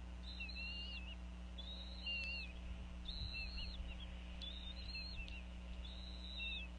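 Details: Female bald eagle at a Northeast Florida nest, vocalizing over a fish while the pair feed their eaglets around 4:40 pm: thin, high whistled notes with level glides, repeated about every second, over a steady electrical hum.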